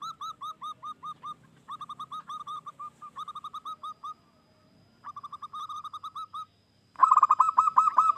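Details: ['Local wild zebra dove in full song, used to entice other doves to call. Repeated bursts of quick, staccato cooing notes follow one another with short pauses, ending in a louder, denser rolling trill.']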